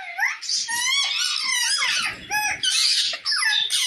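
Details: Parrot calling another parrot: a rising whistled squeak opens, followed by bursts of grating, harmonic squawks separated by short gaps, with some lower rumbling underneath in the middle.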